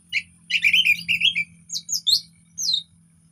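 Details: Relaxed orange-headed thrush song, used as a lure to make silent birds sing: a busy, chattering burst of varied twittering notes, then a pause and several higher, sharper whistled phrases, over a steady low hum.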